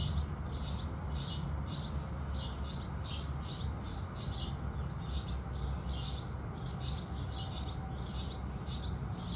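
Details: House sparrows singing at sunrise: a steady run of short, bright chirps, roughly fourteen in nine seconds, evenly repeated over a constant low background rumble.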